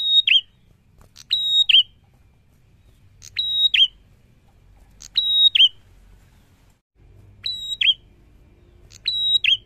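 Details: Energetic Prinia song: six shrill phrases in about ten seconds at uneven gaps, each a buzzy onset, a sustained even whistle and a falling twisted end note. Very faint low background noise.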